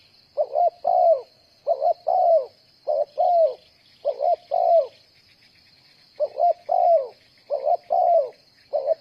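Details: Decoy spotted dove used in bird trapping, cooing in uneven bursts of two or three soft, mellow, slightly falling notes. A short gap splits the phrases, and a steady high-pitched hiss runs underneath.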